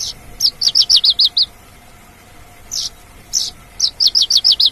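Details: Wild lark singing outdoors: bursts of high, thin, sweet notes in quick runs of about eight rapidly repeated chirps, with pauses between phrases, over a quiet background.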